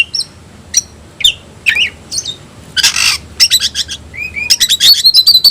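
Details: Caged kacer (oriental magpie-robin) of the tayoraky variety singing sparse sharp whistled notes and a rasping burst, then a quickening run of bright repeated notes.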